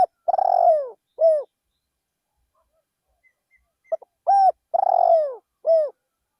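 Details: Decoy spotted dove calling in a rice field. The first phrase ends with a long burry coo and a falling coo. After a silent gap, a complete phrase follows: quick soft notes, a clear coo, a rasping drawn coo and a descending final coo.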